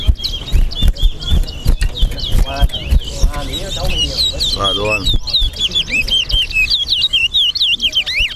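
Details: Towa towa (chestnut-bellied seed finch) singing in a bragging-rights bird competition in Guyana, east side versus west side. Quick, high whistled and warbled phrases with sliding notes and rapid chatter run almost nonstop over the murmur of a talking crowd.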